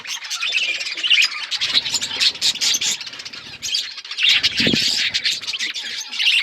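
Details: Budgerigars recorded on February 18, 2024, a dense flock chattering nonstop with rapid high, scratchy chirps and warbles, with a few low rumbling thumps underneath.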